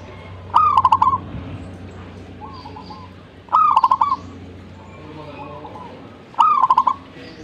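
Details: Zebra dove, singing with gusto (gacor), gives loud staccato cooing phrases roughly every three seconds, with softer, fainter coos answering in between and a low hum in the background.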